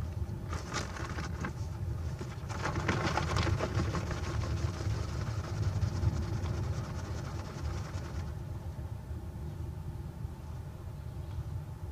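Steady low engine-like rumble with brief bursts of rustling hiss and no clear animal calls.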